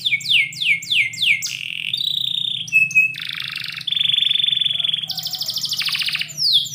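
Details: Canary singing indoors in the morning: a series of sweeping downslurred notes, then buzzy rolls, a level whistle and fast high trills, over a low background hum.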